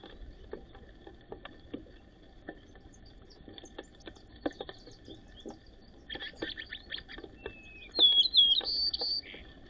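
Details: White-crowned sparrows sorting out a pecking order over who feeds first, giving sharp, high chirps in quick bursts, with a brief whistled note near the end, over scattered tapping and pecking noises.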